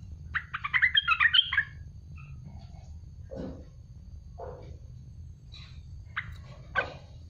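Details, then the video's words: Olive-winged bulbul, known locally as merbah belukar or cucak lumut, used as a training model for songbirds: a fast bubbling burst of chirpy notes, then scattered low notes and sharp high calls, over a steady low hum. "Tembakan pedas merbah belukar wajib kamu dengar."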